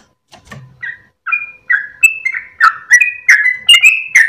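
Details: Sooty-headed bulbul at dawn, tail wagging during its long rapid song. A few soft notes open the run, then louder whistled slurs come faster and stronger toward the end.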